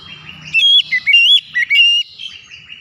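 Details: White-rumped shama song aimed at getting other birds to sing: a loud run of five or six clear whistled notes, some slurred upward, some dropping, over faint low background noise.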